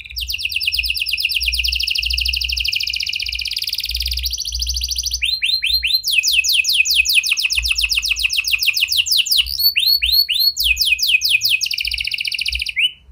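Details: Canary lure song in prenjak and lovebird style, used to prompt stalled canaries to sing: loud continuous rapid trills alternating with phrases of rising whistled notes, the rhythm changing several times over thirteen seconds.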